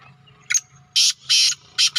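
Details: Black francolin calling in the evening in a village: loud, harsh, grating bursts, each about a quarter-second long, given in a rapid broken series. A low steady hum sits underneath.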